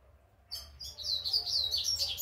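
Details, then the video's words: Young brown double-collared seedeater learning its first notes, delivering a continuous rapid high twittering warble of buzzy, wavering notes that starts abruptly and grows louder, with faint low hum beneath. "coleira Pardinho apreendendo suas primeiras notas"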